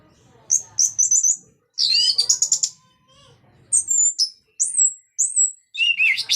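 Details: Orange-headed thrush in lively ngeplong song used to draw other thrushes into singing. Rapid chattering trills mix with clear, high, downslurred whistles in quick succession.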